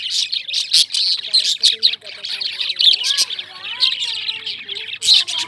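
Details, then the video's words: Several lovebirds chirping together, rapid high squeaky notes pulsing steadily, with softer low, arching whistled tones drifting beneath. "Amazing Lovebirds Sounds, Love Birds Making Sounds,Love Birds Chirping,Chirping Sounds Of Love Birds"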